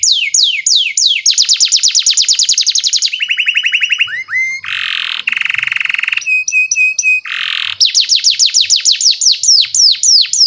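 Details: Canary song used as a lure for training young canaries: fast descending trills alternate with lower steady rattling rolls, harsh buzzy bursts and a row of short flat whistles, all in rapid succession.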